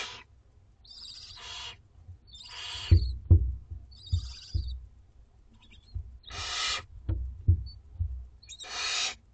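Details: Dinner time for two-week-old Barn Owlets in a school garden: short twittering chirps mixed with longer hoarse hissing begs, over repeated low knocks and bumps in the nest.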